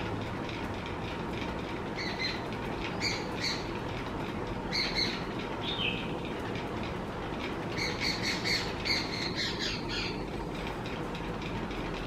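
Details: Asian koel in a garden by a birdbath gives shrill, squawky notes in quick clusters, one slurring downward, over a steady low rumble of background noise.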